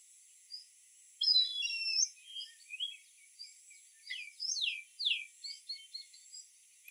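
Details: Indian grey hornbill type 2 call: shrill, squealing notes with quick rising and falling sweeps in irregular bursts, over a steady high hiss.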